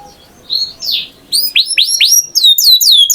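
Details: Canary opening softly with a few faint warbled notes over light background hiss, then breaking into loud, sharply descending whistled notes repeated in quick succession.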